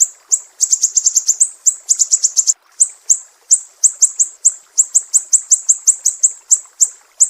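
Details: Piercing 'besetan' chips of a Sumatran mangrove whistler, a master track for songbird training: rapid rattling bursts of high notes at the start, then single sharp chips at a brisk, uneven pace.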